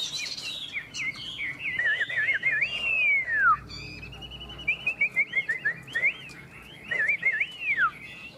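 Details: Chinese hwamei singing contest between two caged birds: wavering whistled phrases ending in long downslurs, a steady held whistle, then a burst of short rhythmic notes before another falling phrase.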